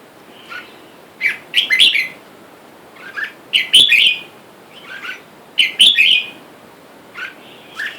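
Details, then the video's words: Caged male and female wild red-whiskered bulbuls, with wild birds outside calling for a mate; the caged pair take turns chasing and pecking each other. Short bubbly chirping phrases repeat about every two seconds, bright and slurred, over a quiet background. "นกกรงหัวจุกป่า ผู้ เมีย ในกรง และเสียงนกป่าเรียกคู่อยุ่ด้านนอก"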